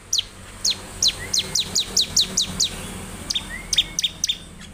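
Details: Bar-winged prinia delivering rapid, high, downslurred chip notes in an uneven run, about two per second, then a few softer clipped notes near the end.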